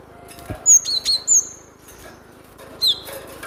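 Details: Training-lure glatik batu, a cinereous tit, uttering crisp high chirps: a fast trio of bright notes, a pause, then one more clear descending chirp, with a low thump at the start.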